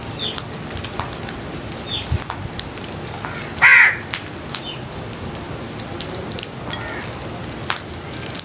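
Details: Feeding crows give one brief, hoarse caw a little before the middle of an otherwise quiet stretch with scattered clicks.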